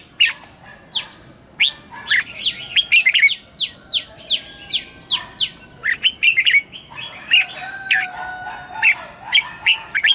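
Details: Red-whiskered bulbul morning double-note song for training caged birds: repeated bright warbled phrases mixed with series of short downslurred whistles, several birds seemingly overlapping in a busy chorus.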